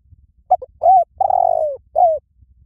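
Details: Dove cooing: a short double note, then a smooth mellow coo, a longer falling coo and a final slurred coo, all low and soft, quiet background.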